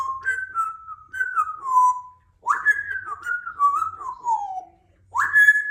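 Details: Two-year-old female Congo African grey parrot, a pet in a country home, in the morning and described as happy: clear, melodic whistled phrases that step and slide gently downward, repeated three times with short pauses.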